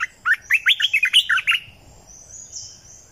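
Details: 2020 lure recording of a red-eyed bulbul: loud, fast series of about nine gurgling, warbled notes over a second and a half, then a brief high thin whistle.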